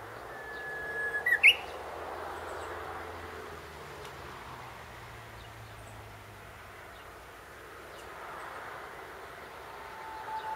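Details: Japanese bush warbler in a tree beside a grave, recorded handheld on a compact digital camera: one clear sustained whistle, then a quick upward-sweeping flourish of sharp notes, followed by several seconds of soft ambient outdoor hiss.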